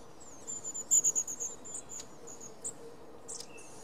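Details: Long-tailed tit recorded on 5 May 2019, giving a quick series of very high, thin, sibilant notes, about eight in under a second, then a few scattered high chips, over a steady low background hum.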